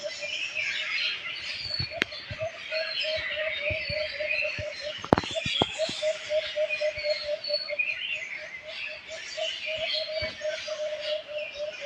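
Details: Many birds chirping together in a dense outdoor chorus, bright overlapping tweets and trills high in pitch, with a steady low-pitched pulsing call repeated about four times a second underneath and a few sharp clicks and knocks.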